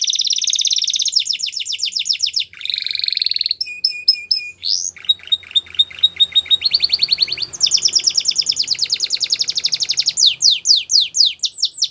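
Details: Belgian canary song meant for training young birds, delivered as a continuous run of shifting tours: buzzy high rolls, clear flat whistled notes, quick repeated chips and rising slurred notes near the end, clean background.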